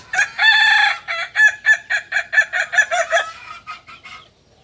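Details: Kukuak balenggek chicken, a native breed of Solok, West Sumatra, crowing: a long sustained opening note followed by a rapid series of about ten stepped, evenly spaced syllables that fade out at the end.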